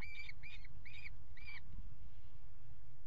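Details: Peregrine falcon pairing on the nest ledge of a water tower nest box, 5 February 2018, nest camera: four strident, ringing calls about half a second apart, then low steady rumble only.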